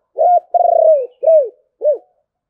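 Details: Spotted dove singing in the 'thổ bầu' voice style: four low, mellow coos, the second long and slightly throbbing and falling, then a rounded coo and a short final note after a brief pause.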